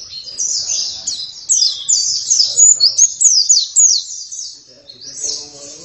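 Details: High twittering song of an oriental white-eye, said to turn vocal within a minute: quick runs of thin, downward-slurred notes, loud and almost continuous, with faint low voices heard beneath.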